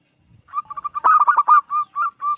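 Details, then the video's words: Local zebra dove, five years old, a loud, persistent singer whose song lures other zebra doves into singing: soft opening notes, then a quick run of clipped, pulsing coos, ending in three longer, evenly spaced tonal coos. "Perkutut lokal gacor suara besar"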